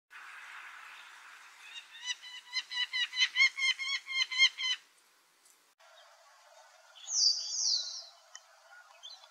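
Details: White-browed wagtail in India giving a rapid run of about a dozen sharp, evenly spaced chirps over two seconds after a soft buzzy start, then a pause and one loud high rasping note.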